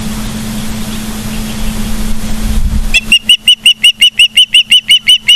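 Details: Osprey at a nest in Charlo, Montana, on 15 September 2023 around 12:55, captured by a live nest camera: three seconds of low rumbling, engine-like noise, then a rapid run of about thirteen sharp, whistled chirps, evenly spaced and steady in pitch.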